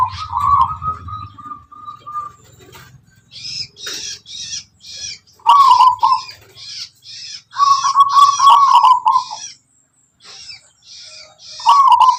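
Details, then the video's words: Zebra dove, local wild Tuban strain, singing its distinctive rhythmic song: a long steady note, then rolling, trilled coo phrases. Repeated high chirps from other small birds run throughout. "Suara perkutut lokal alam tangguh tuban"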